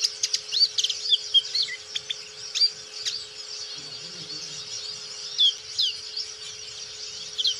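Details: Black-capped white-eye in gacor song: rapid high, sweet chirps and sharp whistled slurs in quick clusters, loudest in the first seconds, then looser phrases. Under the song are a faint low hum and a short soft low rumble midway.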